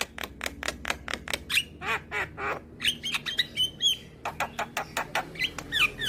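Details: Rapid song of a young Javan myna, nodding as it sings, recorded to stimulate reluctant birds: dense broadband rasping clicks and squawks, with brief bright whistled notes in the middle and a faint low hum underneath.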